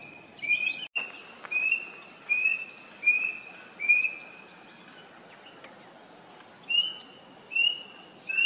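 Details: Rusty-breasted Cuckoo repeating short, upslurred whistled notes in a run of five, then three more after a pause. A sharp click near the start and a continuous shrill insect hum sit in the background.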